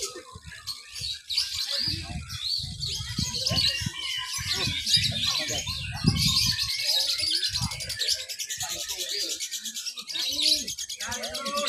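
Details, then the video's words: Lovebird at a mixed-class singing competition in Papua, Indonesia, at an irrigation site on Sunday 31 October 2021, giving ngekek song while clinging to the cage bars; dense, fast, high chattering trills run throughout, with other birds and voices around. "LOVEBIRD THE BEST, NGEKEK SAMBIL NGERUJI/MERAYAP"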